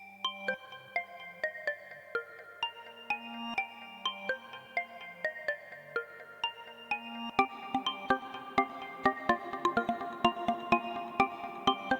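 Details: Only gentle mallet-percussion music is heard, with bright chiming notes repeating at a steady pace and no animal calls.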